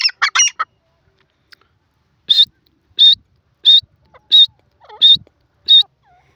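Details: Grey francolin, locally called teetar, calling: a quick burst of harmonic notes, then six loud, shrill, high notes repeated about every 0.7 seconds against a quiet background.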